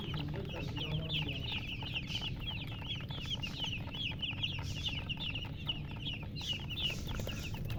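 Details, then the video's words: Chicken chicks, a group of young birds, peeping constantly in a busy chorus of short high downslurred chirps. A steady low hum and rumble run underneath throughout. "Chicks Chirping"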